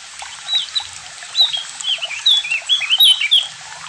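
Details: Javan grey-throated white-eye performing its ngalas and nyiul song: clear, sweet whistled notes with quick upward and downward slides, delivered in a brisk, bubbling sequence.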